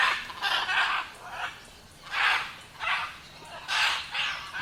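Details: Scarlet macaw calling with loud, harsh, grating squawks, each drawn out about half a second, repeated irregularly five or six times, with little else heard beyond faint background hiss.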